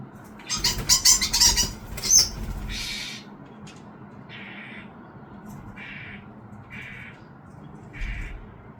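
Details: Starling fledgling being fed by its parents: a flurry of harsh, raspy bursts with fluttering wingbeats, then single scratchy begging calls spaced roughly a second or more apart.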